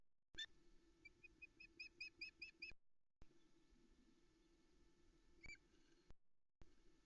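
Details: Nest-cam recording at Loch Arkaig, Arkaig Community Forest, on a July 2020 morning, with a female osprey begging for fish while chicks feed: a faint series of evenly spaced thin chirps, then one sharp note, over constant electrical hum.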